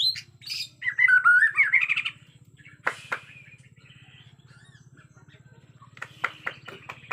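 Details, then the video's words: Agitated white-rumped shama from Borneo in a forest setting: a high opening note, then a fast, looping warble of varied whistles for about a second, followed by scattered clicks and chips over a constant low pulsing hum. "Murai Batu Borneo Ngamuk suara asli hutan"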